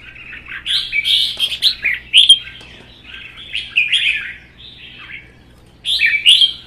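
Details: Red-whiskered bulbuls kept in cages, a captive-bred bird and a wild-caught one-season adult, singing against each other in a provoked duel. Loud, rapid, rich warbling phrases with sharp upslurred notes, coming in bursts separated by brief pauses.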